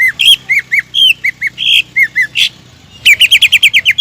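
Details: Greater green leafbird song intended to draw rival birds into singing: alternating bright whistles and short harsh squawks, a silent gap around two and a half seconds, then a fast run of repeated chirping notes.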